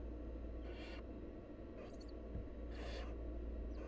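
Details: Wild barn owl chicks being fed by their mother give harsh hissing begging screeches: three broad, breathy bursts about a second apart, plus a softer fourth at the end, above a persistent deep rumble.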